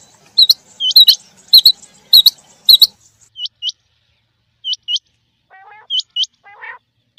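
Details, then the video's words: In rain, male and female quail produce loud clicking bursts with high rising chirps, then sparser paired chirps and a few lower buzzy notes. "Rain Male Female Quail Beautiful Sounds"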